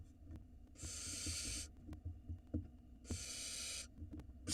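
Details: Young barn owls on an Israeli nest cam beg as their father delivers food, two long hoarse hissing screeches over low shuffling and knocking noises.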